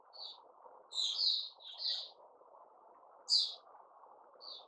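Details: White-crowned shama (Puteh Raja), caged, new-feather season, 6 September 2021: a few scattered whistled notes and one loud, sharp, rising phrase over a constant low background hum.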